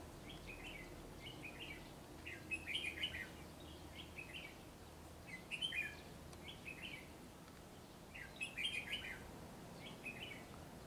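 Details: Red-whiskered bulbul, described as eager to sing, delivering ché song from the top of a tree: short, bright, warbling phrases repeated every second or so, with louder bursts around three, six and nine seconds, over a steady low rumble.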